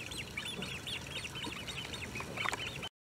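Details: Young and adult Great crested grebes at Maasbommel on 1 August 2018 give a busy stream of high, bending, squeaky notes in quick succession, ending abruptly after about three seconds.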